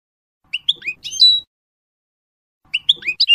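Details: Goldfinch training song for teaching novice birds the F.O.C.S.E code, a run of sweet, bouncing whistled notes rising and dipping, ending in a clear held note, then the same phrase starting again after a pause.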